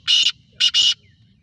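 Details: Eight-month-old black francolin of the Sindhi strain calling: a loud, buzzy grating note, a short pause, then a clipped note run straight into a longer harsh one, ending a three-part phrase over quiet background.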